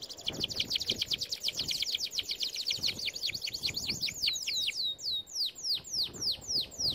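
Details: Canary training song: a dense, rapid trill of chirps that slows into clear downslurred whistles repeated roughly twice a second.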